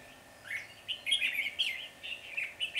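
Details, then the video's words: During a trapping session on 10 February 2020, a Red-whiskered Bulbul flock leader chatters aggressively at a caged decoy; rapid, rasping chatter in uneven bursts over a faint background hiss. "Bẫy chào mào Đầu đàn ché nẹt mồi"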